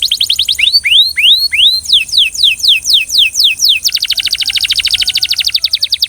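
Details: Belgian canary with a short high trill, a series of rising curved whistles, then downward-sweeping notes, finishing in a sustained, very fast rattling trill.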